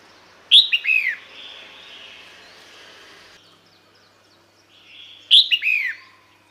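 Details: Female red-whiskered bulbul calling to attract males: two loud, clear whistled calls about five seconds apart, each a sharp high note followed by a short downward-curving slurred phrase, with faint hiss between them.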